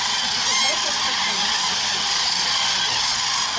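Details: Wintering flock of about 40,000 common cranes at Agamon Hula being fed before continuing migration south, 2021: dense wall of overlapping trumpeting and bugling notes with no pause, harsh and hissy in tone.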